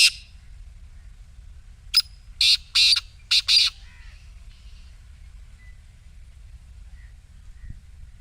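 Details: Single rasping phrase from a black francolin, used to make a silent partridge call: a clipped note then three harsh buzzy bursts in quick rhythm, followed by several seconds of near-quiet.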